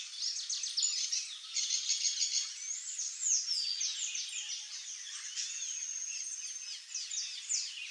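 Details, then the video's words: A wild saffron finch, free in nature, sings a rapid jumble of high chirps, trills and short whistles run together almost without pause; other small birds and faint insect buzz may overlap. "CANÁRIO-DA-TERRA livre na natureza (SICALIS FLAVEOLA)"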